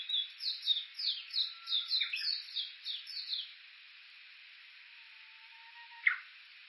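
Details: Japanese bush warbler recorded on foot on the Uguisu Road at the foot of Mount Yakushi, Kuka, Suo-Oshima, Japan, with an Olympus Voice-Trek V-82; about ten sharp, downslurred chirping notes in quick succession over three seconds, then quiet and one rising note.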